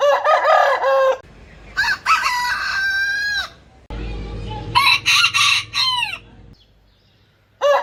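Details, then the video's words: Successive rooster crows, loud and raspy, each holding a long drawn tone that bends downward at the end; a low steady hum runs beneath the middle crow and the clip ends on a fresh crow. "ETKİLEYİCİ HOROZ SESİ BU SESLER HOROZLARI KUDURTUR !! ÇEŞİT ÇEŞİT HOROZ ÖTÜŞÜ"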